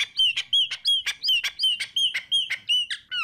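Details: Chopi blackbird song: a loud, rapid series of clear whistled upward slurs mixed with sharp clicks, repeated almost three times per second, ending in a descending swoop.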